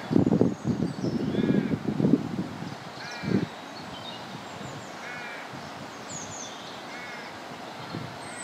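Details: Courting pair of wild Canada geese on the South Pond in Midhurst, West Sussex, England: nasal honks spaced a second or two apart, with heavy low rumbling wind or handling noise in the first seconds.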